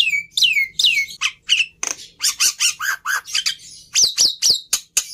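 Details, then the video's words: Black-winged myna singing a varied run of notes: descending whistled slurs, then short harsh chattering bursts and a series of rising squeaky whistles, delivered in quick succession with brief gaps. "Suara Burung Jalak Putih Istimewa"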